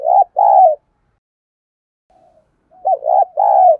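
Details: Cooing spotted dove decoy, meant to draw wild birds into a fight. Two loud low coos, a quiet gap with a faint note, then a rolling three-part coo phrase.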